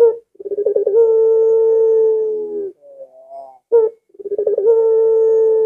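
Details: A not very aggressive puter pelung collared dove whose arching coo is said to make other doves want to call. A burst of bubbling pulses opens onto a long, even, low hum, followed by soft wavering notes and a second pulsing start.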